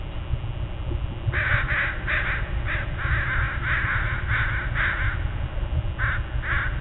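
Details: A murder of crows at dawn, many raspy caws overlapping and following one another in a busy chorus, over a deep steady rumble.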